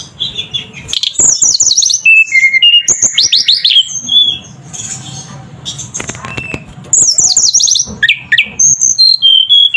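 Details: Flowerpecker in energetic song, used to stir other birds: dense bursts of high twittering and cascading whistled notes, a pause with soft background noise, then another rapid twittering phrase.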